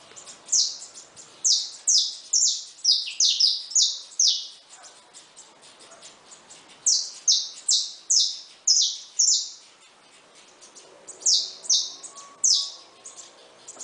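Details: Free-living saffron finches at a feeder give buzzy, downward-sliding notes in three bursty clusters, each with several fast notes, separated by short pauses.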